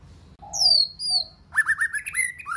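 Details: White-rumped shama in many-voiced song. Two drawn-out, falling whistles open the phrase, then a rapid, sharp, chattering run of clipped notes follows.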